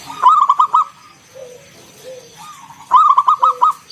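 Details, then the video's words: Vocal local zebra dove singing ngalun 'kung bulat' coos meant to draw other doves into song: two bright rolling bursts of four or five quick clipped coos, with faint lower sliding notes in the pause. "Suara NGALUN Kung Bulat - Perkutut lokal gacor Pancingan"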